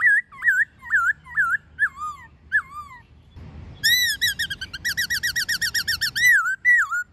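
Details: Wild white-cheeked laughingthrush with a female, song used to train captive birds: loud clear whistles with wavering, down-slurred notes, then a fast run of about twenty short repeated whistled notes before more slurred whistles.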